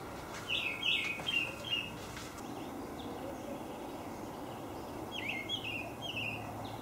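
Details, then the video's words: Olive thrush giving short slurred whistled phrases of several quick notes, one burst early and another after a pause of about three seconds, over a steady outdoor hiss. "Olive Thrush call"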